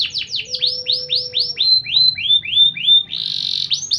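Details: Champion canary song used for canary training: a rapid run of about a dozen sweeping whistled notes, each sliding down from high to lower pitch, then a brief buzzy trill; a faint low hum underneath.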